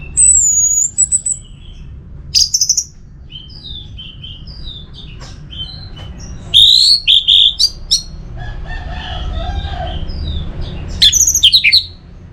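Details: Orange-headed thrush singing to stimulate other birds to sing, recorded in Singaraja, North Bali. Loud bursts of varied whistled and warbled phrases are separated by short pauses, some sliding high notes, and there is a steady low background hum.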